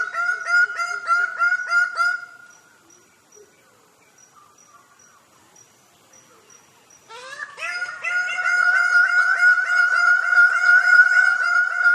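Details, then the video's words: Bird-of-paradise singing during its dance: rapid, nasal, harmonic notes repeated several times a second. A quiet pause of about five seconds follows, then the same rapid series returns louder and steadier. "Tarian burung Surga"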